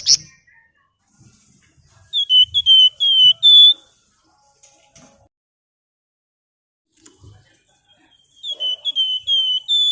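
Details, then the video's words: Flamboyan bird in vigorous song, used to prompt other birds to sing: two bursts of rapid, high, thin chattering notes, five or six quick notes each, with quiet gaps and faint clicks between. "Ngebren Nyiul Burung Flamboyan Gacor cocok untuk pancingan"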